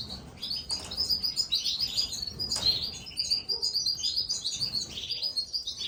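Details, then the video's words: Being fed, young Gloster canaries keep up an unbroken stream of shrill, rapid chirping, pulsing in quick waves throughout, with a brief lower note midway and a faint low background murmur. "CANARIO GLOSTER ALIMENTANDO SUS CRÍAS"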